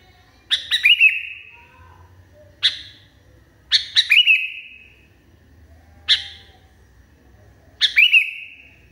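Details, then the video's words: A sooty-headed bulbul, described as calling furiously, gives five harsh, chattering bursts in nine seconds, each a sharp clipped note run into a quick whistled flourish, over a faint low hum. "KUTILANG NGAMUK PARAH"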